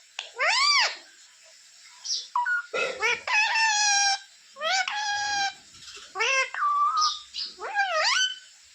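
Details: Pet parrot talking, asking for roti: loud arching harmonic syllables and sliding whistles in irregular bursts over a steady high hiss in the background.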